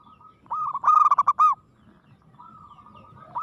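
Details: Zebra dove (local perkutut), described as an aggressive, persistent singer, gives one loud, fast, rolling cooing phrase of about eight pulses, then a long faint drawn-out coo ending in a rising note.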